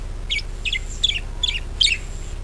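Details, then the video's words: Budgerigar lure sound for encouraging other birds to sing: five similar squeaky, warbled chirps spaced about every half second, over a faint low hum. "PANCINGAN PARKIT AGAR GACOR"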